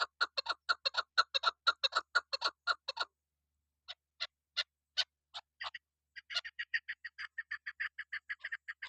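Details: A female chukar partridge repeats quick clucking notes, breaks off into a pause, then resumes with spaced single notes that build into a rapid, rhythmic chattering series.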